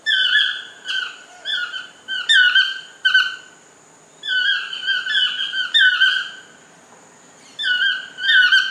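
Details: A toucan in a lodge garden gives bursts of two to four nasal, squeaky yelps, pausing between groups, over a steady high-pitched hum.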